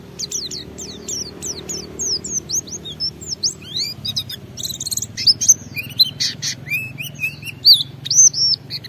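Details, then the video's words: Vigorous white-eye song intended to get other white-eyes singing. It starts with quick falling chirps, moves into rising and falling whistles, and ends with buzzy clusters and looping whistled phrases. A low background hum runs throughout. "Suara Burung Pleci Gacor membuat Semua Pleci langsung ngalas Bongkar Isian"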